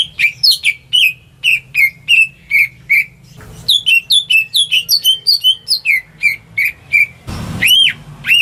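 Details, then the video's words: Home-kept greater green leafbird singing as bait for silent birds: steady repeated whistles about every 0.4 seconds, then a quicker varied run, ending with a loud rustle and arched whistles. "Cucak Ijo Rumahan Yang Cocok Buat Pancingan Burung Macet"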